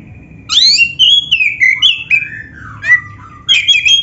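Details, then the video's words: Oriental magpie-robin, black-breasted form, in full song for training kept birds: bright descending whistles and warbled slurs, short pauses, then a burst of sharp chattering notes at the end. "SUARA KACER GACOR FULL ISIAN ‼️ Bikin Kacer Lain ON GACOR"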